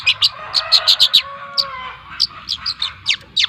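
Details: Two-month-old trotol long-tailed shrike from Lampung giving bursts of sharp scratchy notes, some in quick clusters, others spaced, over a thin sustained warbling underneath.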